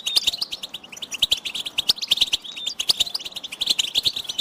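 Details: Goldfinch stimulation chatter with mating-readiness calls: rapid sharp chirps and tinkling trills, dense and unbroken, a few clicking ticks scattered through.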